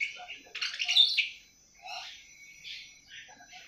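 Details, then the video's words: Young awar-awar bird, seven months old, just beginning its ngriwik twitter: a dense burst of high scratchy chirps, then sparser, softer warbled notes after a brief pause. "Burung awar awar 7 bulan mulai ngriwik"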